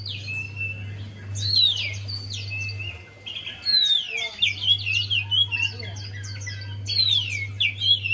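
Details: Javan white-eye song played to encourage a lazy singer: bursts of quick, high, scratchy twittering with downslurred whistles, a short pause near the middle, and a low hum that drops out briefly.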